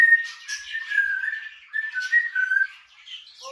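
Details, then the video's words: Grey parrot kept indoors whistling a wavering melody of clear notes near the same pitch, sliding up and down in short phrases, with a brief squawk at the end. "Танцы, песни, свист от Жако"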